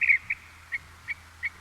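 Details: A California Thrasher, a chaparral and coastal sage scrub songbird of Southern California, gives a short run of clear, chirpy mid-high notes, one roughly every third of a second, over a faint low hum.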